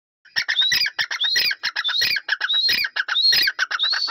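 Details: Grey francolin calling: harsh, loud squawking notes in a fast, dense series, with rising whistled elements about twice a second, continuous throughout.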